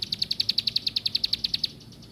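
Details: Plain prinia (ciblek sawah) giving a rapid, even run of about sixteen clipped high chirps in under two seconds, then falling quiet.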